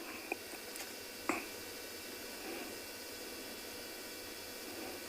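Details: Quiet steady hiss with a few faint clicks and ticks, and no animal voice.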